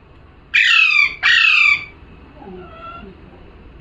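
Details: Pair of loud grating parrot calls, each a rasping shriek dropping slightly in pitch, followed by soft, quiet warbled notes before another squawk starts at the very end.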